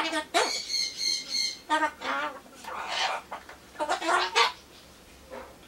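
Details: Pet Solomons corella (Ducorps's cockatoo) chattering happily to itself while waiting for pumpkin, a mix of greetings and phrases: several harsh, harmonic, word-like squawks in uneven bursts over about five seconds, with short gaps between.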